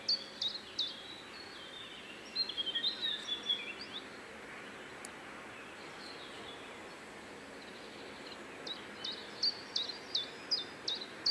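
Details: Common Chiffchaff at Joachimów Mogiły reservoir, Poland, on 27 May 2017, singing bright, high notes alternating up and down in three short bursts over a soft, steady background hiss.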